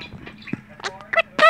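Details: Male talking pet budgerigar chatters in a scratchy, buzzy voice, imitating spoken commands to a pet such as "wave" and "turn around", ending in a louder raspy phrase.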